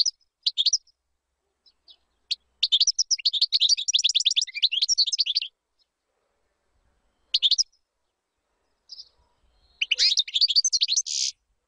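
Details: European goldfinch song for chick tutoring: scattered single chirps, then a long fast twitter, a few isolated notes, and a closing twittering phrase with a buzzy finish.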